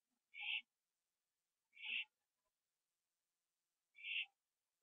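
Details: Owl on a porch at night, 21 September 2011, eating a gopher; three breathy, screechy hisses, the first two close together and a longer pause before the third.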